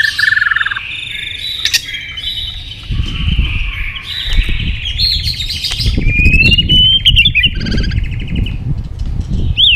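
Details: White-rumped shama in fighting song: dense high warbling with trilled passages and a clean rising whistle, continuous over steady low rumbling noise.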